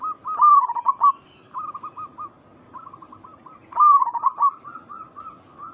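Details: Local and Bangkok-cross zebra doves cooing to prompt a response from their kind: two loud bubbling, wavering coo phrases separated by softer chains of short stuttered coo notes.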